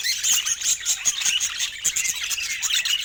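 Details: Budgerigars kept as pets give a busy stream of bright, high chirps and short squawky warbles, several birds calling over one another.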